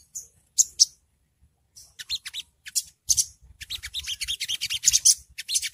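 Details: Long-tailed Shrike ngriwik call used as early training audio to provoke birds into answering; short bursts of very high, scratchy chirps separated by pauses, becoming a denser rapid chatter toward the end.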